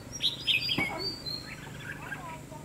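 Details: Red-whiskered bulbul during bird trapping with a decoy, 22 February 2016. Short, clear, whistled high notes come in a quick burst with a single click, followed by softer warbling. Steady outdoor background noise throughout.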